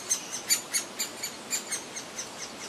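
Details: Great spotted woodpecker chick, noisy and demanding while being fed by a parent in the grounds of a historic house, giving high, sharp, piercing calls repeated about four times a second in a steady, insistent series.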